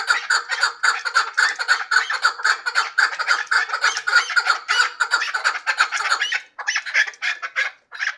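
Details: A hybrid chukar partridge calls in a long, rapid series of harsh clucks, then after about six seconds the notes turn higher, thinner and more broken.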